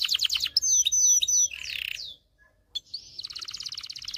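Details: Excited canary singing meant to spur females toward mating and teach males: a quick trill, clear high whistles, drooping slurred notes, a brief quiet gap, then a rapid regular trill.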